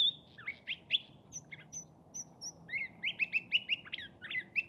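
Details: A Curve-billed Thrasher at Saguaro National Park, Tucson, Arizona, in the Sonoran desert, sings a quick, varied run of warbled and chirpy phrases, some doubled, with thin high whistles mixed in over a faint low rumble.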